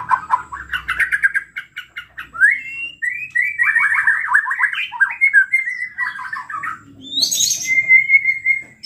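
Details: Lively white-rumped shama song meant to goad other shamas into singing: a run of quick staccato chips, then a long buzzy rattling phrase, a sudden high harsh burst and a clear level whistle.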